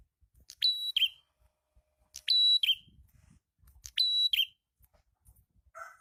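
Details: Prinia called red-headed prinia, singing actively, used as a lure for catching birds; sharp, very high whistled bursts with a quick dropping end, repeated about every one and a half seconds, with faint low thumps between.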